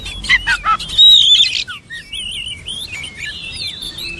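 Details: Oriental magpie-robin song opening with a few quick chirps and a loud rich whistle, then a softer run of wavering, warbled high notes that twist up and down.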